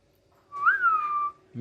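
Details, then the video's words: Pet parrot playing together with a companion indoors, giving a single clear whistle that rises and then holds steady, slightly falling, for under a second, with a faint rustle at the end. "কথা বলা পাখি"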